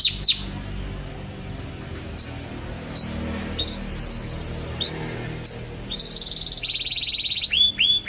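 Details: A canary sings short upslurred chirps spaced a second apart, a brief steady whistle, then a long, even, buzzy trill and two final downslurred notes.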